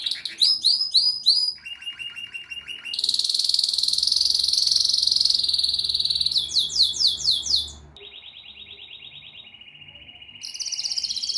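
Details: Canary singing pleasantly: fast chirps, a lower rolling trill, a long loud buzzy trill, rapid sweeping notes, a soft low trill, then a high buzzy trill again.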